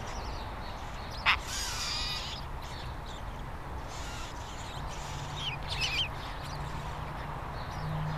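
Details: Scrub jay of a breeding pair raising three chicks at their nest, filmed May 7–8, 2017, after a thunderstorm: a sharp note, then a harsh, raspy scolding burst, with a few rougher calls later over a low rumble.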